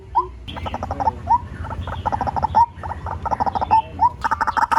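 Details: Decoy recording of a white-breasted waterhen: bursts of throaty, gurgling croaks and short upslurred notes repeat irregularly, ending in a louder dense run of harsh calls, with low background rumble.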